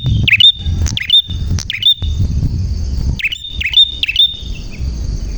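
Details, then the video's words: Prinia in lively, clear song, played to get young wild-caught birds singing: about six sharp, high chipping notes in uneven bursts, each a quick downward-hooked whistle, over a low rumbling background. "Burung Prenjak Gacor Suara JERNIH"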